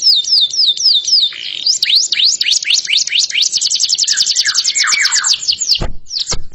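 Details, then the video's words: Canary singing repeated looping whistles, then a long, quick series of falling notes that tightens into a fast high trill with softer low warbles underneath. Two sharp clicks sound near the end. "dengerin kicauan kenari ini"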